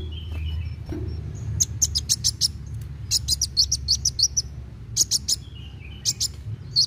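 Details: Energetic fast-singing sunbird, used to coax young birds into song: repeated clusters of high, sharp chirps and twitters in quick succession with short gaps, thin whistles between, steady low background hum.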